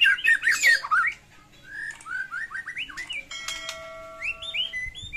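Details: White-rumped shama in full fighting song with varied phrases, played to stir silent shamas; a fast twittering burst, then a series of rising whistled slurs, some steady tonal notes and more upslurred whistles.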